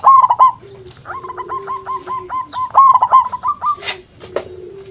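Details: Actively singing local zebra dove, played as a lure to draw answers from other zebra doves. It gives rapid series of short clipped coos, roughly three per second, and a soft lower steady tone runs underneath.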